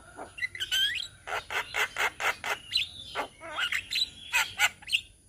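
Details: Javan myna flock from Indonesia, a chorus of many birds singing together as training material for songbirds: harsh rasping bursts about every quarter second, mixed with whistled rising and falling notes and slurred chatter.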